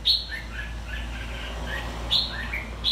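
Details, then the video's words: Red-whiskered bulbul from Quảng Nam, Vietnam, described as a two-season bird, giving sharp whistled notes at the start and end with softer warbled fragments between, against a constant low hum. "Siêu chào mào hai mùa Quảng Nam"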